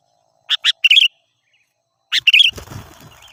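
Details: Lure song of a sooty-headed bulbul for wild birds: two quick chirps and a short warbled phrase, repeated once, then ending in rustling noise.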